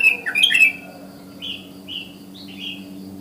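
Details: Sooty-headed bulbul calling in the wild in the morning to draw other bulbuls: a rich gurgling phrase opens, followed by three quieter, slightly falling whistles spaced about half a second apart over a faint hum.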